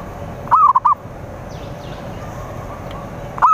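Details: Zebra dove cooing to draw rivals in: one full phrase of a long arched coo and three short notes, then faint high chirps, and the start of the next phrase at the end.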